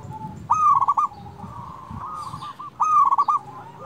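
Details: Local zebra dove (perkutut) in full voice, loud song meant to call rivals: two bursts of rapid rolling coos near the same pitch, with softer continuous cooing from other doves between them and low background rumble.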